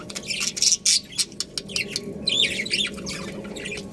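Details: Colony of budgies chattering busily, with dense bursts of high, scratchy chirps and warbling squeaks in quick, irregular clusters and brief pauses between them.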